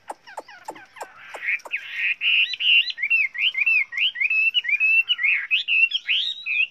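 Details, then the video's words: Chinese hwamei singing in many voices, played for training other hwameis; sharp clicking notes open, then a long loud stream of rapid varied whistled phrases that twist up and down. "Luyện chú chim họa mi hót hay"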